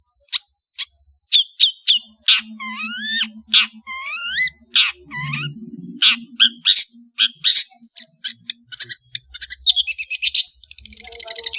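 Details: Cendet, the long-tailed shrike, in varied, active song: sharp chips, looping slurred whistles and quick trills, closing in a dense buzzy chatter. A low hum runs through parts of it.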